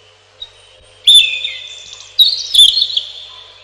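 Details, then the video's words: Robin singing: a faint note, then two loud, high, bright phrases, each opening with a sharp burst and trailing into a long, echoing, slightly wavering whistle before fading. "1 Hour Robin Bird"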